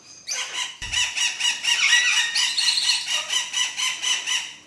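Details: Exhibition budgerigars, king-size varieties among them, in steady nasal warbling chatter that pulses a few times a second. Several birds overlap into a continuous busy chorus.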